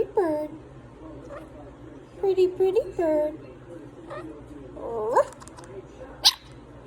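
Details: A talking monk (Quaker) parakeet repeats imitated phrases like "pretty bird" and "peekaboo" in short, scratchy bursts, with a sharp high squeak near the end.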